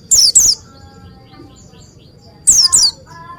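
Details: Oriental white-eye in vigorous song: two pairs of shrill, high falling notes about two seconds apart, with soft lower whistles and chirps from other birds between them.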